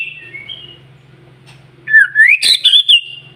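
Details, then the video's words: White-rumped shama song used to stimulate other shamas to sing: a few soft whistles, then a loud rising whistled phrase ending in sharp high notes, over a faint low buzz. "PANCINGAN MURAI BATU SUPER NGOTOT,DI JAMIN BURUNG MURAI JADI GACOR"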